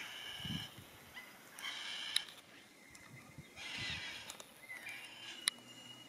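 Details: Yellow-tailed black cockatoos in Tasmania, Australia: several grating, wailing calls overlap across the recording, with sharp clicks and low thumps in the background.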